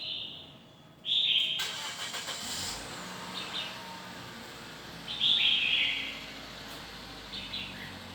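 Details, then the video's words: Red-whiskered bulbul singing short warbled phrases, one at the start and a louder one after five seconds, with a passing vehicle's broad rumble and hiss between them. "Red-Whiskered. Old and Stunted Bird of The Forest sing the 6 to 12 sounds long voice"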